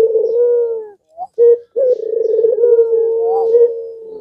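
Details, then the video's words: Puter pelung (Barbary dove) calling to make rival doves respond. A long, level coo, two short notes, then an extended pulsed, rolling coo held steady to the end. "Suara Gacoran Puter Pelung Ini Membuat Lawan Emosi Dan Terpancing Ikut Gacor"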